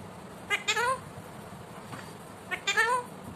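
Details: Talking pet Indian ringneck parakeet producing two similar short phrases of harmonic, sliding, voice-like notes, each a quick cluster of rising and falling tones, separated by a pause of about two seconds.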